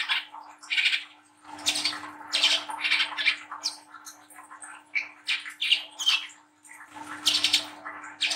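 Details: Young speckled Brown-throated sunbird in lively song, rapid scratchy chips and high piercing whistles in dense bursts with brief lulls, a low rumbling noise twice in the background and a faint constant hum.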